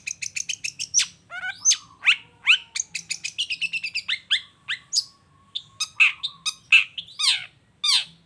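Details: Long-tailed shrike in full vigorous song, a lure for other shrikes: a quick run of sharp ticking notes, then varied slurred whistles, scratchy sweeps and short trills over a faint sustained whistle.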